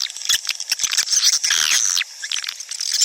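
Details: High twittering swiftlet calls meant to attract the birds to nest houses, with a louder drawn-out squeaky call in the middle and scattered sharp chirps around it.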